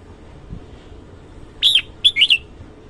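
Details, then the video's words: Red-whiskered bulbul singing in the morning: after a quiet start, a short bright warbled note and then a quick cluster of two or three chirpy, slurred whistles, high and clear over faint low background hiss. "Chào mào hót sáng"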